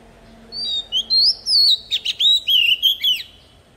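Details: Oriental magpie-robin lure bird in forest-style song for tutoring young birds: a string of clear, separated whistled notes and slurs, some sweeping upward, others dropping, repeated quickly over three seconds.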